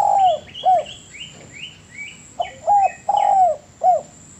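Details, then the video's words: Spotted dove master recording for bird training, with low falling coos in groups of a long note then short notes, while another bird adds a run of high thin rising chirps between the cooing phrases. "MASTERAN DERUK YANG PALING DI CARI BANYAK ORANG"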